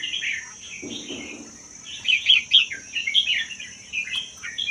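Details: Red-whiskered bulbul, wild-caught in the Vietnam–Laos forest and kept one year, with a mostly doubled song, played to stimulate other bulbuls. Short warbled phrases come from several birds, with a brief low rustle near the start and a steady high whine.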